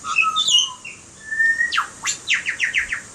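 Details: Butcherbird singing clear whistled notes, followed by quick downward and upward sweeps and then a rapid series of five or six descending chirps.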